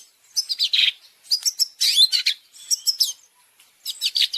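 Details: Long-tailed shrike training song with champion fill-ins: harsh, scratchy bursts mixed with squeaky chirps, loud and broken into short phrases with brief pauses between them.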